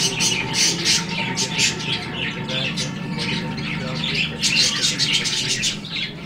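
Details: Captive budgerigars in breeding season; constant high chirps, squawks and warbled chatter from several birds, with a steady low hum and a person speaking underneath.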